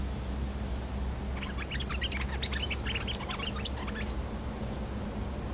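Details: Streak-eared bulbul decoy song used in Thailand to lure a territorial resident bird: a lively burst of short, bright, chattering notes lasting about three seconds, jumping quickly up and down in pitch, over steady low rumbling background noise.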